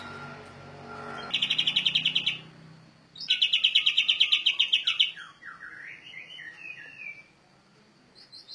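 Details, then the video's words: A canary delivers rolling song meant for training birds: two loud, fast, even trills about a second and two seconds long, followed by softer rising and falling warbled phrases and a few faint notes. "burung kenari ngeroll"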